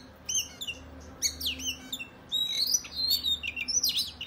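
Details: Oriental magpie-robin in provocative fighting song toward other males: scattered sharp chirps at first, then a sustained run of wavering whistles and warbled slurs, over a low steady hum.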